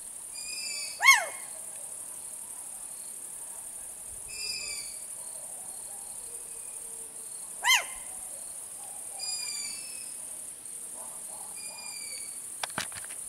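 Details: Owlets and an adult owl calling at Shchaslyvtseve on the Arabat Spit, Sea of Azov, 19 June 2022: two loud, harsh, falling calls about six seconds apart, thinner short squeaky notes between, and a steady high insect buzz throughout.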